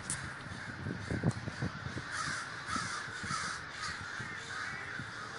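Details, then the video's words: Large communal gathering of crows in Davis, California, many birds cawing at once in a thick, continuous din; several low thumping sounds stand out in the first two seconds. "The Great Gathering of Crows"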